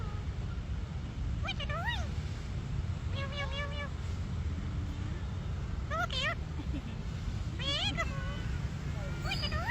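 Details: Alexandrine parakeet, called mithu, giving harsh, nasal, arched calls in bunches of two to four every couple of seconds over a steady roar of traffic and low rumble.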